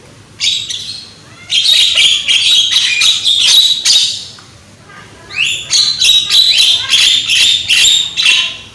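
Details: Loud young Javan myna used as a lure to prompt singing: two runs of rasping, chattering notes in quick succession, about three a second, split by a short pause near the middle.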